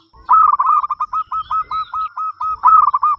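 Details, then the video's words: Loud local zebra dove in full song, inviting other doves to sing; rapid rolled coos open into an evenly spaced series of about eight clipped notes, ending in a second rolling flourish. "perkutut lokal gacor suara besar"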